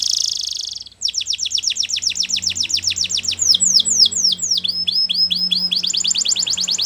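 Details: Training song for young canaries: a brief buzzy note, then long runs of rapid, crisp downward-sweeping chirps that change tempo several times, over a faint low hum.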